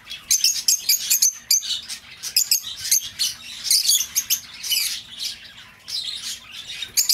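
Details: Lovebird calls aimed at bringing an escaped bird home: steady stream of high, squeaky chirps and rasping twitters, evenly spaced, with a brief pause near the end.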